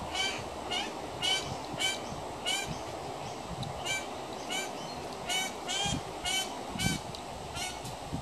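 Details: Juvenile pied currawong, one of several young birds hanging around a home, giving harsh, nasal honking calls repeated in quick bursts roughly every half second to second, over steady background hiss.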